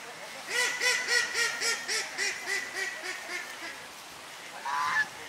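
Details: Flock of swan geese (Chinese geese) fed by locals in November 2021: a run of about a dozen nasal, arched honks, roughly four per second, fading in loudness, then a brief higher squawk near the end.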